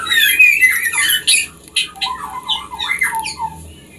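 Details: Captive-bred white-rumped shama, its song used to prompt breeding pairs to mate: a harsh squawking burst opens, followed by a string of short bubbling whistles dropping lower in pitch.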